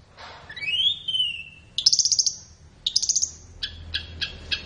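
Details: Caged-bird training recording of flowerpecker song, suited to morning or afternoon: a rising slurred whistle, then dense high chattering bursts and several spaced metallic ticks.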